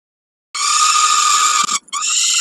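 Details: A single long, harsh, screeching wail from a peregrine falcon at Kawęczyn during a snack on 20 May 2022, after a moment of silence, broken briefly before a second shorter wail.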